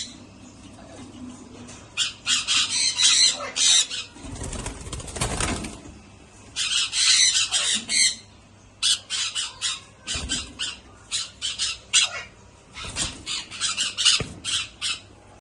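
Young sun conures give harsh, scratchy squawks in rapid bursts, with a brief rustle of wings.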